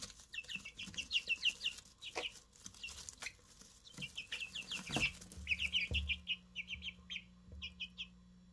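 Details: Brand-new Easter Egger chicks, three of them, give dense strings of thin, high, falling peeps, with soft knocks and a faint low hum beneath in the second half.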